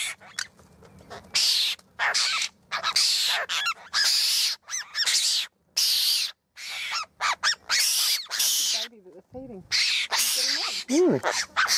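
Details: Wild Australian apostlebirds, several birds, calling at a campsite near Bourke, New South Wales, on a hot afternoon while sharing a bowl of water. Rasping, grating bursts rapidly follow one another with short gaps, broken by a few squeaky, bending notes near the end.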